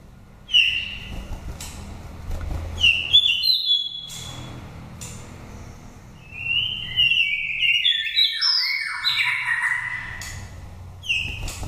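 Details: Wild oriental magpie-robin from Dak Lak, Vietnam, five moult seasons old, singing a pure wild-type song used as a lure: clear whistled notes and slurred phrases in bursts separated by pauses, with a low background hum.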